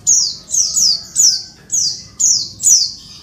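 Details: Noisy calls of a female Oriental white-eye meant to spur lazy males to sing as in the wild: rasping, high-pitched falling squeaks, often doubled, recurring about twice per second with short pauses.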